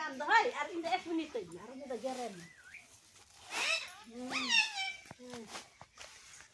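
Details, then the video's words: Pet parrot talking indoors, a string of voice-like mimicked syllables with wavering, gliding harmonic tones, short bursts separated by brief pauses, higher squeaky glides near the middle. "मिट्ठू हूं बोलने वाला तोता ||Parrot Talking Video"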